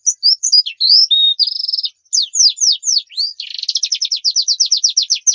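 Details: High-pitched Javan white-eye (pleci) song meant as a tutor track for caged birds: varied whistled slurs and a short steady trill, then a long series of rapid repeated descending strokes accelerating into a dense rattle.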